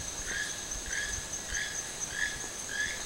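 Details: Toucan at Sueno Esmeralda, calling in the wild: five evenly spaced, rasping, slightly rising croaks in three seconds, with a continuous shrill insect tone behind.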